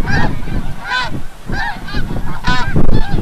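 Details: Snow geese returning from the bay at sunset, Oceanville, New Jersey; a few clear, separate nasal honks every half second or so stand out above heavy low-frequency rumble.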